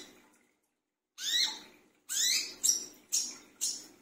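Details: Brown-throated sunbird calling at midnight for luring: after a second of quiet, five rasping notes with rising whistled tones, the later ones shorter and sharper.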